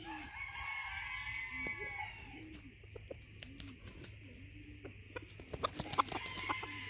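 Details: A bantam junglefowl rooster doing a courting dance gives short, low clucking notes repeated about every second, with scattered sharper clicks and a steady low hum behind.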